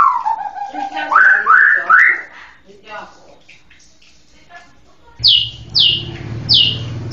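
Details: White-rumped shama song: drawn-out falling whistle, then rising slurred notes, quieter chatter, and three sharp high chirps near the end over a low rumbling background.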